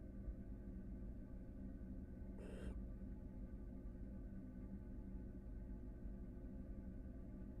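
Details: Barn owl from a pair at a nest box in Florida, filmed on a live camera while preparing for a second brood: one short, harsh hissing screech, partly masked by a steady low hum.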